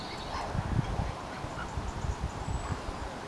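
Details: A Mute Swan in Britain gives low, gruff snorting grunts in short bursts, several in about three seconds, over a soft background rumble.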